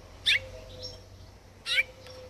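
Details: Mutated rosefinch, a colour mutation, singing: two bright, brief buzzy chirps about one and a half seconds apart, with faint softer notes between and a low steady hum behind.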